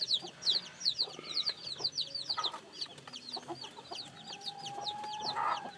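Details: Newly hatched chicks cheep rapidly in high descending notes, fading later as a steady hum and a louder squawk appear near the end.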